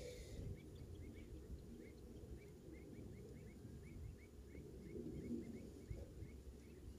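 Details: Common redshank at Sylkehut, Lauwersmeer, on 28 June 2016 gives a long series of short, clipped piping notes, roughly three per second, over a steady low rumble of wind or distant traffic.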